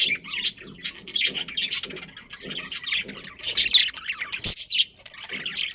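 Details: Chatter from a budgerigar breeding colony with a breeding pair: rapid harsh squawks and warbling chirps from several birds, a steady low pulsing hum beneath, one sharp click near the end.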